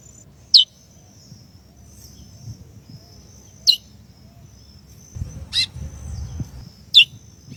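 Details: Female chestnut-bellied seed-finch calling to stimulate the male: four short, sharp chips sliding down in pitch, spaced about every one to three seconds, over a faint steady high whine and low rumble.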